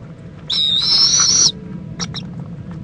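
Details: Owl mother preening with her owlet at an Indiantown, Florida nest, 11:45 AM on February 26, 2014; one drawn-out, shrill, hissing screech of about one second, then two quick clicky notes, with soft low hum beneath.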